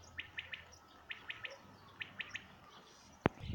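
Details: Common quail song from 2019, three evenly spaced bursts of three short, sharp notes, followed at the end by a loud abrupt click.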